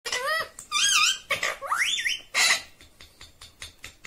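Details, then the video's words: Pet talking parrot said to say "mummy" and "papa"; a string of nasal, wavering, voice-like squawks and rising whistled tones, followed by softer rhythmic clicking sounds indoors. "talking Parrot mummy 😍 papa"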